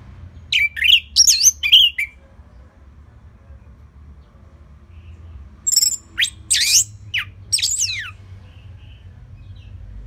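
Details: Orange-headed thrush singing a relaxed, prolific 'gacor selow' song used as a lure to train other birds. Two bursts of high, squeaky, fast-slurred phrases are separated by a long quiet pause, with a faint low hum underneath.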